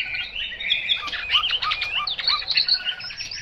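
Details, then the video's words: Chinese hwamei in 'mộc dở' song: a dense run of varied whistled and warbled notes, rapid rising and falling slurs packed high in pitch, continuous for over three seconds. "Họa mi mộc dở"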